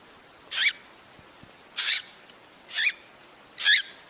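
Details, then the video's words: Cockatiel breeding-stimulation sound: four loud, hoarse, high-pitched screeches, each brief and separated by roughly one second, heard against a soft, constant hiss. "صوت تزاوج الكوكتيل لتحفيزها"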